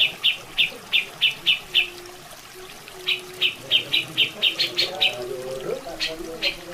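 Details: Masteran recording of a grey-cheeked bulbul (cucak jenggot): crisp notes repeated steadily about three per second in two runs separated by a short pause, with gentle water sound in the background.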